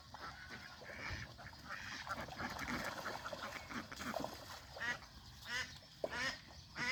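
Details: Domestic geese, young and adult, fed fresh grass beside a farm pond; busy chattering flock, then several loud separate honks near the end, about one every half second.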